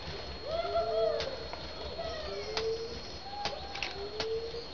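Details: A satyr tragopan in courtship gives low, drawn-out moaning notes that slide slightly upward, several in a few seconds, with faint clicks and a steady high hiss.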